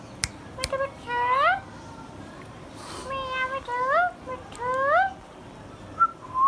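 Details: Pet Indian ringneck parakeet, green and hand-tame, talking in a run of nasal, voice-like phrases, each rising at the end, broken by sharp clicks and brief pauses.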